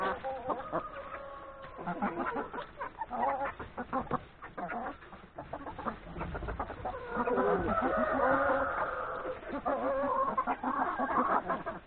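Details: Chickens, hens and three roosters, feeding on breakfast in a yard before going to the forest to graze; a busy flock of overlapping clucks and murmuring calls, some drawn-out harmonic notes, rising louder in the second half.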